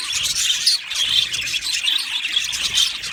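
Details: Budgerigar colony in an aviary, many birds chirping at once in a dense, continuous chatter of high warbling notes and squeaks with no pauses.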